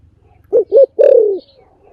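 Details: A spotted dove's partial phrase: two short coos in quick succession leading into a long, throbbing, downward-sliding coo, over faint low background hum.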